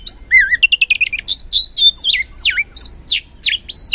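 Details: Oriental magpie-robin song used as a lure to provoke lazy birds into singing: clear varied whistles, rapid repeated chirps and sweeping slurred notes in quick succession, loud and clean with no other sounds.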